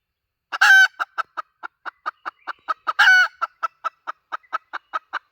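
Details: Hen sound played as a lure: a harsh drawn squawk, then a quick run of rhythmic clucks, another squawk near the middle, and the clucking continues steadily to the end.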